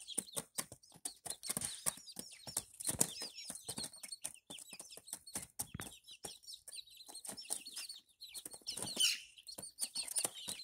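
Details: Barred Plymouth Rock chicks, five young birds, give a steady stream of shrill, downward-curving peeps, many voices overlapping, with short scuffling sounds around the middle.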